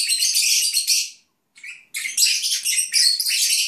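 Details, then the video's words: Lovebirds (Agapornis), pets resting for a nap, produce scratchy, buzzy high chirping in dense bursts, a pause of about half a second, then a softer chirp and renewed rapid twittering. "Cennet Papağanı ( Agapornis Lovebirds ) Nap Song"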